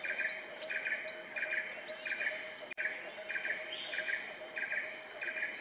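Asian Red-eyed Bulbul giving short, bubbly mid-pitched notes in quick bursts, about one every second, over a steady high insect hum.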